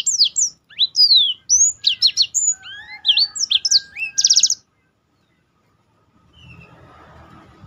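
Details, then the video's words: Varied Black-throated canary song used to tutor other birds, with high whistled slurs and a buzzy trill for about four and a half seconds, then quiet with faint background noise. "burung blackthrout lain pun ikut tergoda berbunyi"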